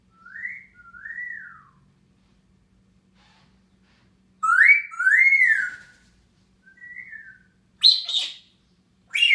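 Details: Grey parrot whistling in the morning while perched on top of its cage, recorded June 15, 2016: smooth rising-and-falling whistled phrases in pairs, a louder double whistle near the middle, then short harsher bursts toward the end.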